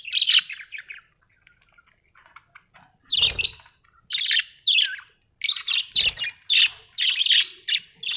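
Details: Household budgerigars give repeated harsh, buzzy squawking notes in a rhythmic series, mixed with softer chirps and a couple of low thumps.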